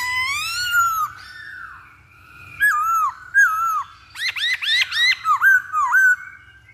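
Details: Masked laughingthrush song used as a lure to provoke a bird to sing: a long, loud falling-rising whistle, then a series of short, rich, slurred whistled notes that bend up and down, with faint low hum beneath.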